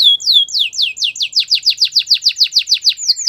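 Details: Belgian canary song used for training: a steady series of rich downward-sweeping whistled syllables, about five per second, becoming louder and fuller midway through.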